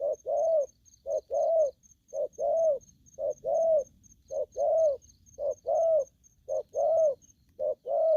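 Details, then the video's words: Young wild-caught spotted dove in aggressive calling: a regular series of low two-part coos, short then long and slightly arched, about one per second, with a faint high-pitched ticking through most of it. "Bổi thổ tơ hung hăng"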